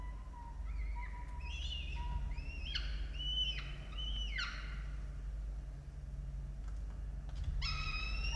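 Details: Peregrine falcons at a nest in Orange, Australia, 18 October 2022, filmed by a nest camera while two adults feed two chicks: a run of harsh, arched, harmonic wailing calls repeated about twice a second, then a pause and a final call, over a steady low hum.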